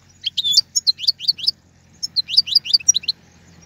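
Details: European goldfinch song meant for tutoring young birds: two quick bursts of liquid, rising twittered notes, about a dozen each, with a short pause between.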